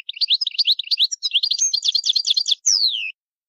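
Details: A goldfinch gives a loud territorial call, a fast, liquid twitter of high tinkling notes for about two and a half seconds, ending in a bright downward-slurred whistle.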